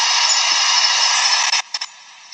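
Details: A Sooty Owl, a night-calling owl also called the wailing woman bird, gives a long, harsh, hissing screech lasting over a second, then two brief rasping bursts trail after it.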